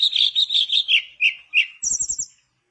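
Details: Mangrove blue flycatcher in full song, used as a lure to coax silent flycatchers into singing: a run of clear whistled notes gliding gently downward, then a brief high rapid trill near the end before the song stops.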